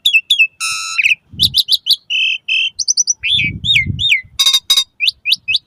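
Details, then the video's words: Asian pied starling singing, a recording meant to coax caged starlings into song at dawn and evening. It mixes a buzzy harmonic note, strings of short whistles, paired downslurred calls and a harsh rattle, over intermittent low rumble. "Suara Kicau Jalak Suren"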